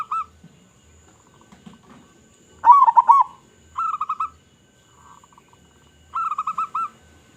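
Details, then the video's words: Zebra dove of local stock with a big voice, singing to attract other zebra doves: three separated bursts of quick rolling coos, the first loudest with arched notes, amid near silence. "Perkutut Lokal Gacor Suara Besar Suara Paling di Sukai Burung Perkutut apa Saja"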